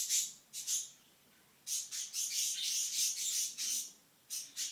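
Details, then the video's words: Pet green-cheeked conure at home giving bursts of high, scratchy chirps and squeaks in uneven groups, with short pauses between bursts. "Lu Lu talking and making kissy sounds"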